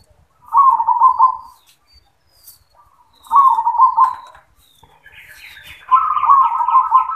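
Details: Caged zebra dove singing in the yoman song style: three rolling, burbling cooing phrases about every three seconds, the last one higher and fuller, with faint clicks between phrases.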